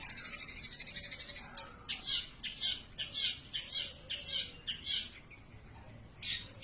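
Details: Long-tailed shrike singing nonstop, opening with a fast buzzy trill, then a series of loud, sharp, high chirped notes repeated roughly every half second, each note harsh and clipped.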